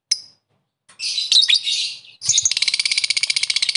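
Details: Calling lovebird directed at rivals: one short sharp chirp, a pause, then rough screechy chatter running into a fast, buzzy, evenly pulsed trill.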